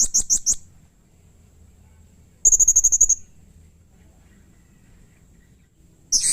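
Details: Agitated harsh calls from a blue-crowned hanging parrot: a quick run of four piercing high notes, a pause, a dense rapid string of about eight thin high ticks, then a fresh shrill burst.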